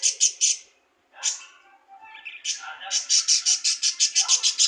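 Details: A pet parrot kept at home gives runs of harsh, high, rasping squawks, about three per second. The bursts break off into softer murmuring chatter, then resume in a long, even series.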